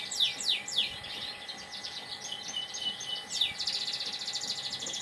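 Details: Canary singing in the morning: series of quick downward-sweeping notes, then a rapid buzzy trill, high-pitched and repeated several times per second, over steady background hum.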